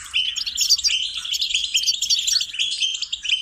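A goldfinch sings a fast, unbroken run of bright, tinkling twitters and high buzzy notes, liquid and jumbled. Nothing else is heard.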